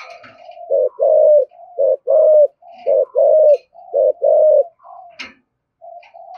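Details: Spotted dove giving 'thổ thúc gù' coos meant to provoke other doves. Mellow, low, paired coo phrases repeat about once a second, with faint high chirps from other birds and a brief knock near the end.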